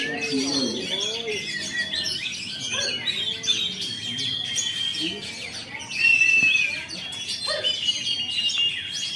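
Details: Caged Oriental magpie-robin from Jakarta, Indonesia, singing after finishing its moult: dense, rapid high whistles and chattering phrases with sliding notes, plus lower squeaky, voice-like sounds in the background.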